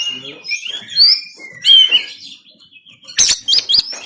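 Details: Kacer (oriental magpie-robin) harsh shooting song, recorded on a phone in Banten: fluty high whistled phrases rising and falling, then a quick series of hard snapping cracks near the end.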